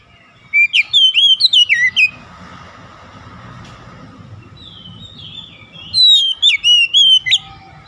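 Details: Oriental magpie-robin song, used as therapy to revive a stressed bird: a loud run of sharp whistled notes sliding up and down, a long gap filled with steady low background rumble, then a second bright whistled burst.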